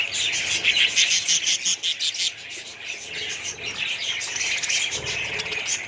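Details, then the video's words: Colony of budgerigars chirping in quick bursts of high, squeaky notes, dense at first, easing briefly, then resuming. "budgies parrots colony"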